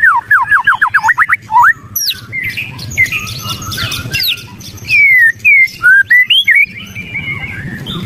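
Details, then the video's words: White-rumped shama giving an agitated chattering call: a rapid run of about ten sharp down-slurred notes, then scratchy chatter and loud rising and falling whistled phrases in short bursts, over a low background hum. "ketrekan murai emosi"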